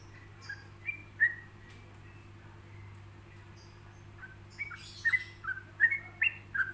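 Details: Yellow-vented bulbul singing a relaxed paused song meant for other bulbuls to copy: a few scattered whistled notes early, a quiet gap, then a lively burst of short slurred whistles, rising and falling, over a low steady hum.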